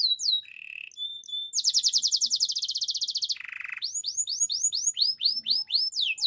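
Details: Canary singing a training song, a fast-changing sequence: high chips, a low buzzy burst, a long rapid rolling trill, another low rattle, then loud downward-sweeping whistled notes in quick succession.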